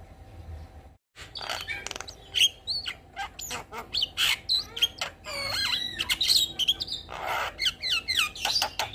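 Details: Javan myna singing vigorously in the gacor style, full of varied fill phrases: harsh rasping bursts mixed with clear rising and falling whistles, delivered in an uneven stream after a brief silent gap near the start.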